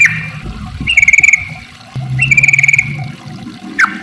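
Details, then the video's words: Sooty-headed bulbul lure song in the 'ropel panjang' long-trill style, meant to get other bulbuls singing: two whistled phrases that start high and fall into a rapid fluttering trill, with a quick downward note at the end. "trucukan gacor ropel panjang buat pancingan trucuk agar bunyi"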